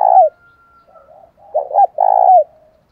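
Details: Decoy spotted dove calling to lure wild doves: a loud short coo, soft murmuring, then a two-part rolling coo and a longer low, steady coo ending in a falling note.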